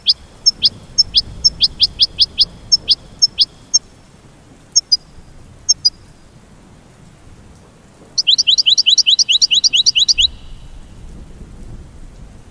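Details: Goldfinch singing: scattered bright, high chirps in the first few seconds, then a fast run of about a dozen rising, upslurred notes near the end, over a soft low hiss.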